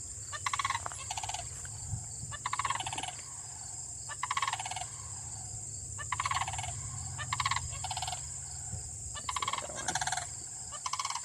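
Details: A pair of sandhill cranes in Michigan stand apart in a pasture and field, calling loudly to each other. Rolling, rattling bugle bursts come every second or two over steady wind rumble.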